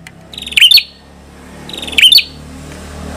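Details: An ashy tailorbird gives two short, sharp phrases of high chirping notes, about a second and a half apart, each ending in a quick slurred flourish, over a faint background hum.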